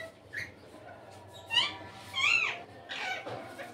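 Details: Indian ringneck parrot out of its cage, described as having a melodious voice; a few loud squawking and chattering calls with rising and falling screeches, around 1.5 to 2.5 seconds, over quiet indoor background.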